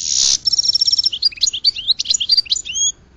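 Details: Goldfinch song opening with a harsh buzzy rasp, then a fine high trill and a tumbling series of sweet, upslurred twittering notes.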